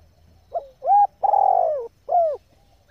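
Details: One complete phrase from a female spotted dove calling to fire up males: faint short lead note, clean even coo, long hoarse coo sliding lower, then a short dropping hoot, in quiet surroundings.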